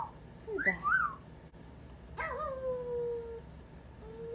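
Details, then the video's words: A pet Congo African grey parrot sings, giving swooping, rising-and-falling whistles, then one long clear whistle sliding slowly downward and fading, which its owner praises as a pretty song. "Congo African Grey parrot vocalizes"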